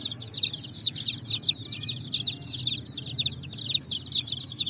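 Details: Colourful chicks running and jumping on sand while searching for food, producing a continuous, overlapping chorus of high, thin, falling peeps.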